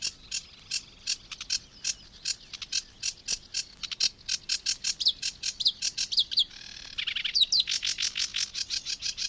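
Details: Sedge Warbler song in the reed beds of Matsalu, Estonia, from a 1979 field recording: dry, rapid chattering notes repeated several times a second, then a harsh buzzy stretch and a run of quick whistled trills.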